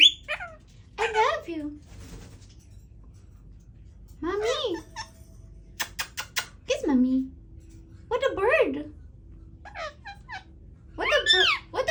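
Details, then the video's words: Indian ringneck parakeet kept as a pet, attempting to talk in a small room: short chattering, speech-like phrases with quick pitch bends, spaced by silences across twelve seconds, plus a few sharp clicks. "My parrot started trying to talk"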